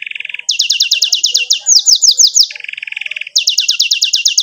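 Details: Canary song for teaching young canaries, gacor and rolling ngerol style: a low buzzy trill alternating with bursts of very fast high falling notes, each section about one second long.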